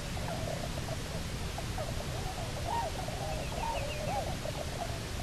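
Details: Bermuda petrel couple returned to Nonsuch Island to nest, 29 October 2018. Soft warbling squeaks rise and fall, growing clearer midway, over a constant low rumbling noise.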